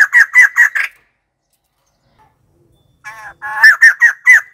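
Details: White-crested laughingthrush calling: a quick run of four harsh, cackling notes, a second of silence, then a softer stuttering phrase leading into another burst of four loud laughing notes.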